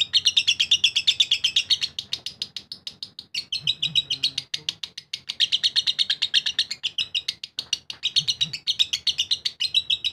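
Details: A lovebird delivers sustained ngekek chatter, a dense, shrill, machine-gun string of high notes running over ten seconds with a few brief breaks and faint low voices underneath.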